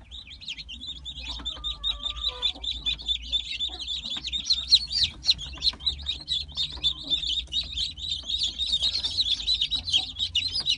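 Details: Brahma chicks offered for sale, of light, buff, gold and dark varieties; a dense chorus of high, thin peeps from many chicks overlapping continuously, rising in intensity toward the end, with a faint low hum beneath.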